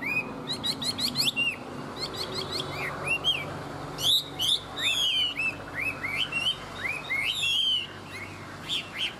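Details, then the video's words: Tame Chinese hwamei, a caged bird singing well: a rich, varied run of whistled, slurred notes, rising and falling, mixed with rapid buzzy trills and sharp chirps, with a faint low hum behind. "Họa mi thuần hót tốt"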